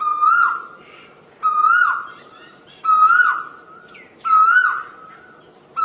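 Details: Loud Asian koel whistles, four notes and the start of a fifth, each rising then falling away, repeated every one and a half seconds.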